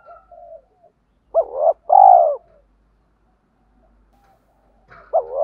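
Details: Spotted dove cooing, part of a calling, urging and cooing set used to excite wild doves: a rising hooked note then a long mellow coo, a pause, and another hooked note at the end.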